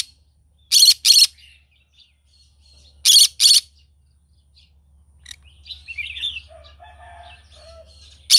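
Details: Green-cheeked conure calling in the morning: two harsh, raspy screeches in quick succession, a second pair about two seconds later and another screech at the end, with soft chirps and faint twittering in between over a low background hum.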